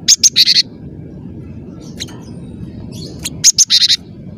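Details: Cinereous tit, locally gelatik batu, described as singing persistently with a clear voice: two brief bursts of four or five sharp, high chirps, separated by scattered faint notes over a low background hum.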